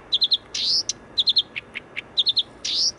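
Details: Blyth's reed warbler singing near Warszawa Zachodnia station, Wola, Warsaw: quick triplets of high sweet notes alternate with a buzzy rising phrase and lower single notes, repeating after about two seconds.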